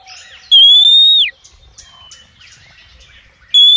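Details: Female oriental magpie-robin calling males, used as a lure: one long, loud, level whistle ending in a downward slur, then faint scattered chirps and the start of another whistle.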